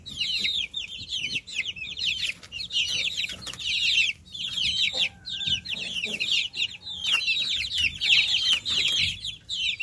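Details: Young chickens peep continuously, a crowded flock of high, falling whistle-like notes coming in clustered bursts, with short quieter gaps and a few faint lower tones in the middle.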